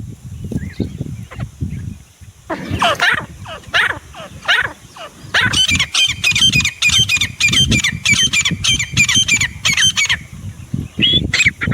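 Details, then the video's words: Grey francolin call, starting with faint scattered notes over low rumbling noise, then louder harsh notes, then a quick regular series of ringing, metallic calls for about five seconds before fading. "Desi teetar // sounds teetar awaaz"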